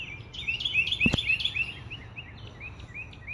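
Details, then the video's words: Backyard birdsong on a morning, with an Alaskan Malamute watching from his deck: bright, rapid chirps and short rising twitters, about four per second, with one brief knock partway through. "the birds singing to you? What"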